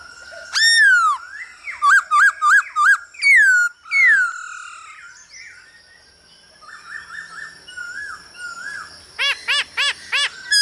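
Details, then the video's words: Male hwamei sings to a female's stimulating calls, used to train birds: a loud down-slurred whistle, a quick run of bouncing notes, two more falling slurs, a quieter warbled stretch, then five rapid hooked notes. "Khướu trống hót múa cực đỉnh kèm tiếng mái ro kích quá hay"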